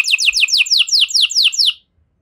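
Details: Pet canary singing an ornate phrase: about ten quick, bright descending notes in a fast series, ending abruptly in silence.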